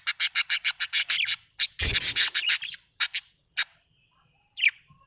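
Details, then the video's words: Happy budgie chirping loudly in a quick series of raspy, clipped notes, about a dozen in a row, then more after a brief rustle, ending with a single rising chirp. "happy budgie chirping sound"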